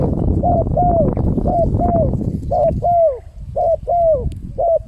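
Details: Spotted dove lure call used to attract wild birds: paired mellow coos, each gliding downward, repeated in short phrases over a steady low rumble of background noise.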